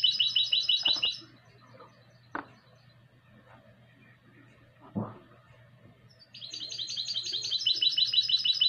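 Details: Goldfinch × canary hybrid in the classic style, 2020: a short high trilled phrase opens, followed by a lull broken by two sharp clicks, then a long rapid trill resumes and rises in loudness.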